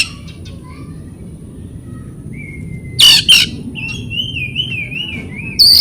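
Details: Oriental magpie-robin song used as a training recording to stimulate silent or stressed birds: after a quiet start, a thin level whistle, a burst of sharp chirps, then a wavering warbled trill and a final bright note.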